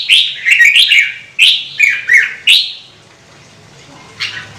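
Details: Red-whiskered bulbul singing in a run used to stir kept birds to sing: about six quick, chirpy warbled notes in a burst, then near silence and one last short note.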